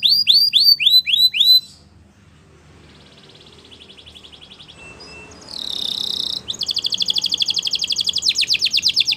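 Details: Belgian canary singing for canary training: a quick series of curved whistled notes, a quiet pause with a soft distant trill, then a loud, rapid, buzzy rolling trill to the end.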